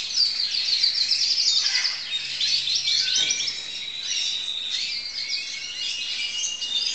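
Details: Crested canary singing in 2012 as a student bird, starting with quick repeated high notes and shifting into looser chirps and short trills that fade slightly toward the end.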